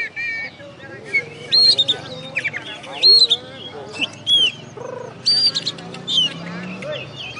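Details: Oriental magpie-robin (kacer) that won first place at a songbird contest, West Kalimantan, Indonesia, described as master-tutored, gives strong upslurred whistles and chattering phrases in bursts, with lower murmuring sounds underneath.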